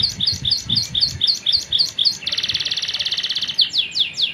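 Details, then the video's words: Canary singing a long, lively song: rapid repeated downslurred whistled notes, then a fast buzzy trill about four notes per second-plus, ending with sweeping slurred notes; low murmur in the background. "KICAUAN BURUNG KENARI, KENARI GACOR PANJANG"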